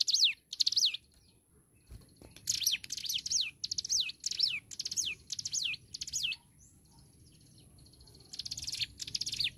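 Hill prinia singing bursts of high, sweeping whistled notes, several quick repeats per phrase, separated by short pauses, over a faint low hum.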